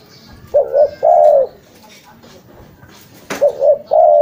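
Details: Spotted dove, a call used for luring birds: two cooing phrases, each two short notes then a longer drawn-out coo, low and hollow, with a sharp click between them.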